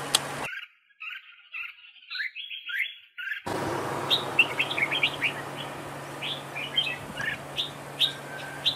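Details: Decoy red-whiskered bulbul in a trap duel, duel singing. Lively chirped notes, a cluster of warbled phrases, then a run of quick bright chips after an abrupt cut, with a low background hum.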